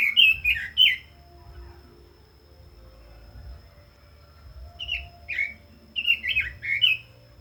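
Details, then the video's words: Red-billed leiothrix sings three quick whistled notes at the start, falls silent for several seconds, then delivers a second phrase of spaced, slurred whistles. "Chim Quế Lâm kích giọng hay, căng lửa - Burung Robin Gacor | Chim Kim Oanh Mỏ Đỏ"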